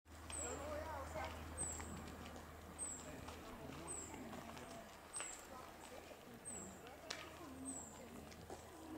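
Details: A song thrush (Turdus philomelos) at Bled on 8 January 2022 gives thin, very high, downslurred 'tsip' calls about once a second, over a low hum and quiet human voices.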